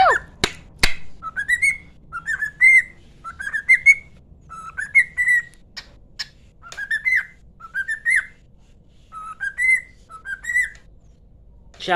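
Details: Household cockatiel singing like its owner: brief clear whistled phrases, each climbing to a high held note, repeated about every second against a quiet room, with a few clicks at the start.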